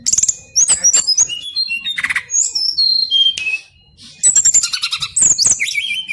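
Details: Brown-chested jungle flycatcher delivering a long rolling ngeroll song: varied high whistles, slurred downward notes and quick chattering trills, interrupted by sharp clicks and a short pause midway.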